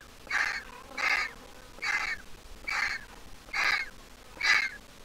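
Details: Griffon vulture chick, hatched April 2023 and first leaving the nest in August, heard still squeaking. Six evenly spaced raspy squeals, each slurring down slightly.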